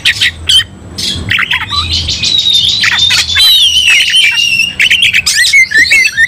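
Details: White-rumped shama provoked into fighting song, opening with harsh bursts and clicks, then long sweeping whistles and high thin trills, ending with rising whistled phrases.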